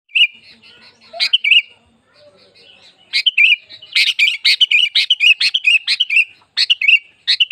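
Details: Sooty-headed bulbul song used to stimulate bulbuls to sing: bright chirpy notes, short bursts early, then a dense run of rapid repeated warbled phrases from about three seconds on.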